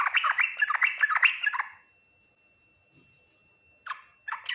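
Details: Yellow-vented bulbul performing Ngriwik, Nguplik, Tuklik-Tuklik song, said to be answered fast by other bulbuls; a dense rapid warble for nearly two seconds, a pause, then two short chirpy bursts.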